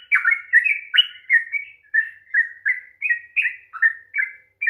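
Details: Long rolling song of a sooty-headed bulbul, played to spur lazy birds into singing; a steady chain of liquid, slightly downslurred whistled phrases, roughly two to three per second, with no background noise.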